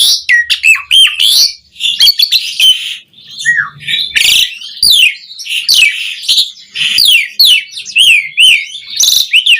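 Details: Asian pied starling song recorded for caged-bird training, a dense mix of looping whistles, harsh buzzy squawks and rapid chatter, nearly continuous throughout.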